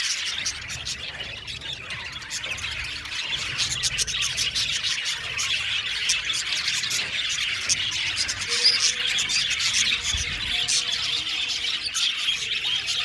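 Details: Budgerigar colony in an aviary, a continuous dense chorus of high chirps, twitters and chattering from many birds, with no pauses.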